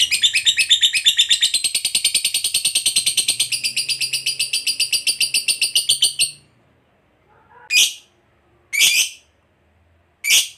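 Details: Fighter lovebird giving its long ngekek trill, meant to make other lovebirds reply: some six seconds of fast, rattling high pulses that stop abruptly, followed by silence and three short, sharp squawks.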